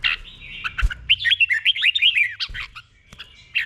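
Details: Slow, distinct doubled 'boen' song of a caged red-whiskered bulbul, used as a teaching song: a rapid string of short, curved whistles rising and dipping, framed by a few sharper chirps and one thud.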